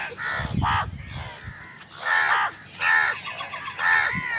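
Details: Harsh, drawn-out crow caws while birds fight over food, roughly one per second in the later half, preceded by a low scuffling thud.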